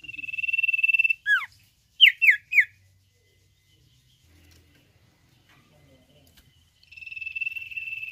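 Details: Common Iora singing in the nyiul mboh style: a steady, fast-pulsed high trill held for about a second, a falling slurred whistle, then three sharp downslurred notes in quick succession. After a quiet pause the buzzy trill starts again.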